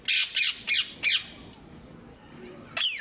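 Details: Ring-necked parakeets giving harsh, loud squawks, four rapid calls in the first second followed by a pause and one more screech near the end.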